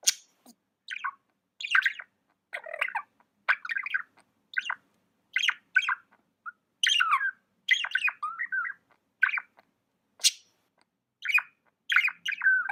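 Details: Budgerigar chirping steadily: a continuous stream of short, bright warbled chirps and squawky notes, roughly two per second, with slight variation in pitch and tone throughout.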